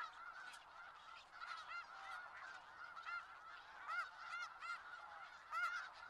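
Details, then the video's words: Large flock of snow geese in Skagit Valley, many birds honking at once; sharp barking yelps rise clearly over the continuous nasal chatter, several close calls near the end. "Sounds of Snow Geese"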